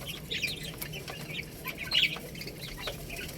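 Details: Chicks eating rice, thin intermittent high peeps spaced irregularly, one brighter chirp near the middle, over a soft low hum.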